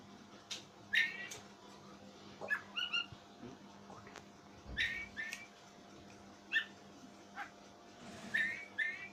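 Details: Oriental magpie-robin with an odd voice that scares its owner, uttering brief squeaky whistled notes with stacked harmonics, scattered irregularly in clusters roughly every second or two, against a low steady hum and occasional knocks.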